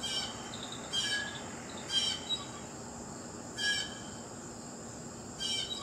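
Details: Blue jay calling repeatedly, four scratchy, noisy bursts spaced roughly one to two seconds apart, with a persistent high insect drone behind.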